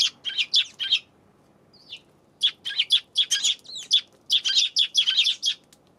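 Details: Eurasian tree sparrow on 7 February, chirping in rapid bursts of short harsh notes, a busy run at the start, a short pause with a faint note, then long dense strings of repeated chirps.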